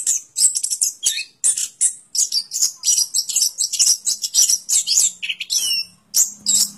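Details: Orange-headed thrush (anis kembang) singing a fast, varied stream of high chirps, trills and squeaky notes, packed in rapid bursts with short pauses, plus a faint low hum near the end.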